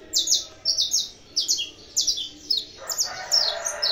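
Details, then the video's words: Saffron finch bred in captivity, singing straight away: grouped high, clear chirps in short bursts with brief gaps, and a broad hissing noise joining in the last second. "canário da terra cantando"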